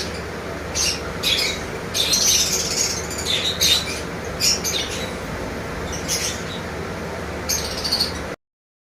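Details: Green Fischer's lovebird pair uttering short bursts of shrill chirps and squawky notes, irregularly spaced, over constant background noise; the sound cuts off abruptly at the end.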